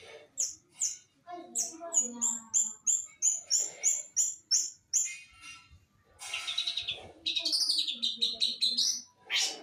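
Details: Long-tailed shrike from East Java: a rapid string of high, clipped chirps repeated about three times a second, changing to a dense, harsh, scratchy warble with wavering high notes in the final seconds.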